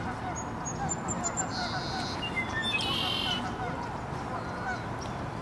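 Red-winged Blackbird giving brief harsh notes and a buzzy, rattling trill, with thin high whistles from other birds over a steady rumble of background noise.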